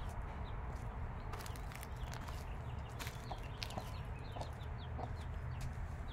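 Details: Chicks five days old beside the mother hen give scattered thin falling peeps, while the hen adds a few low, brief clucks near the middle and end; a continuous low background rumble runs throughout.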